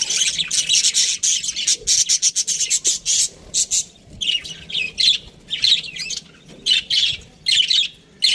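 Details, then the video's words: Aviary budgies chirp in rapid, scratchy bursts. The sound is nearly continuous at first, then breaks into separate short phrases with clear pauses between them. "Budgies Parrot chirping sounds"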